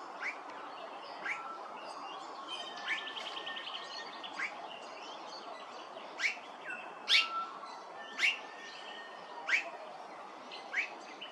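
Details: Immature blue-faced honeyeater at Hervey Bay, Queensland, giving short sharp rising calls, roughly one per second, some clipped and whistled, over steady background hiss.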